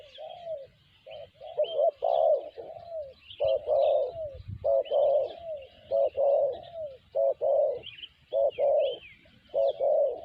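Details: Sanji-style cooing of a spotted dove (tekukur): rapid runs of soft hooting notes, some stretched and falling, delivered almost continuously, while small birds chirp and trill steadily in the background.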